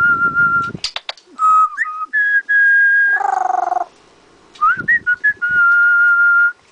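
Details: A pet bird, one of several parrots including Goffin's cockatoos in breeding season, gives clear, steady whistled notes, some level and some sliding up, in short bursts, after being asked to whistle for the camera, with a person's coaxing voice between them.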